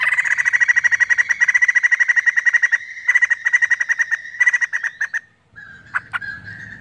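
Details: White-crested laughingthrush in full, emotional chattering song: a long run of rapid, evenly pulsed notes near one pitch, broken by short pauses, with a final brief whistled note and a couple of sharp clicks.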